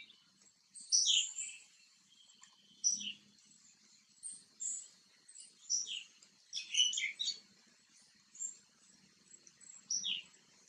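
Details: Green bee-eater calling while seen close up and preening: short, sharp, high chirps in scattered bursts, about nine over ten seconds, some doubled or clustered, over a faint low hum.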